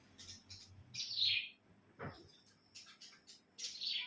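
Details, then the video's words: A pet cilang bird sings on a bright, clear morning: short high, buzzy twittered phrases, one longer falling burst near the start, a sharp click midway, then more quick high notes. "Di pagi yg cerah,burung cilang ku pun ikut ceria"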